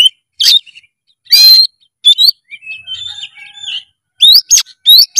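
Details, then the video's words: Kacer, the oriental magpie-robin, singing vigorously: bright whistled notes, a harsh burst, then a softer warbling passage and quick rising upslurs at the end. "JENIS KACER APAPUN SEKETIKA GACOR BILA DENGAR SUARA KACER GACOR FULL EMOSI SATU INI"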